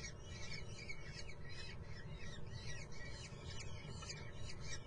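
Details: Common kestrel chicks in the nest at Muttenz, giving shrill, scratchy begging calls in rapid overlapping bursts that run throughout, over a loud, steady low rumble.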